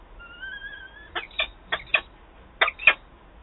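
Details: Peregrine falcon nest change-over in Wałbrzych, Poland, 13 April 2023, male arriving and female departing quickly: a thin drawn-out whistle leads into pairs of short harsh rasping notes.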